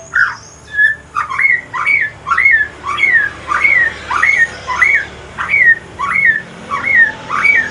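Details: White-rumped shama of the Aceh pastol type, a male singing at evening, repeats one hooked whistle that swoops up then drops, about every half second, a steady rhythmic series of some thirteen notes.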